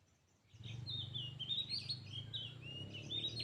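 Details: Oriental magpie-robins, one caged and one wild, competing in song before fighting; a run of slurred whistled phrases wavering up and down, with a steady low hum in the background.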